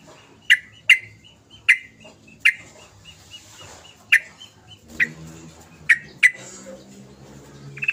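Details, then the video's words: Sooty-headed bulbul giving sharp, clear single notes at irregular intervals of roughly half a second to a second, over a soft background hum and a faint steady pulsing tone. "Kicau trucukan gacor"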